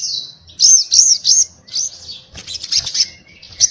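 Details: Crimson sunbird in lively 'ngobra' chatter: a few high arched whistled notes in quick succession, then a scratchy, rapid twittering burst and short sharp squeaks.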